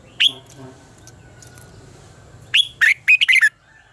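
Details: Red-whiskered bulbul contest song for stimulating birds to sing: one loud falling whistle, a pause with a faint steady tone behind, then a lively phrase of six quick slurred whistles.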